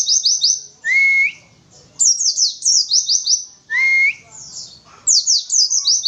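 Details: Oriental white-eye (pleci), an untrained bird, singing in the 'witwitwit' style: rapid runs of high, sharply descending chirps alternate with a clear rising whistle, in bursts about every two seconds.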